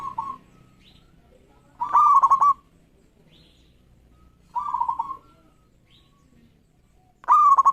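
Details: Local zebra dove (perkutut) singing readily as a lure to set rival doves singing: mid-pitched stuttering coo phrases, each about half a second, with a clicking, pulsed middle, repeated roughly every two to three seconds.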